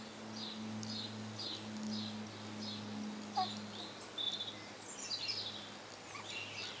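Lineolated parakeets chatter in quick, high, squeaky chirps, several each second, over a steady low electrical hum.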